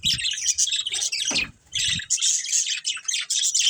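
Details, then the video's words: A caged breeding pair of budgerigars gives busy, rasping chirps and warbles, interrupted briefly by a low thump near the middle before the chatter resumes. "Cute Budgies Chirping Sounds | Love Birds Breeding Pair"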